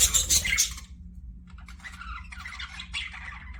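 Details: Pet budgerigars in an aviary: a loud harsh squawk burst opens, then a short pause, followed by softer scratchy warbling chirps over a low steady hum.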